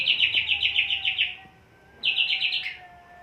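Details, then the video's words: Caged greater green leafbird in high breeding condition, calm, singing freely inside a krodong cage: two fast bursts of bright, rattling repeated notes, about nine then six, separated by a short pause, with a faint steady low whistle underneath. "Di Krodong gacor. Di ablak tidak bunyi. (Birahi tinggi, emosi rendah)"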